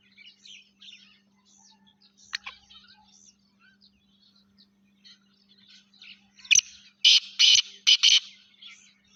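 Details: Sindhi Laka Gangas cross partridge (teetar) giving a run of loud, harsh, broadband bursts near the end, several in quick succession, after softer scattered chirps from small birds and a steady low hum.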